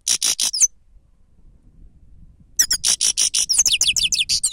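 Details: Grey-crowned goldfinch, recorded as a lure, gives a few pulsed buzzy notes, then a pause. A dense phrase of rapid twittering follows, with a run of sharp, quick descending whistles. Slight low background noise.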